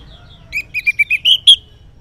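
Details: Orange-headed thrush giving a short morning ngeplong phrase, used to stir silent males into answering: about seven clear whistled notes that climb gradually higher.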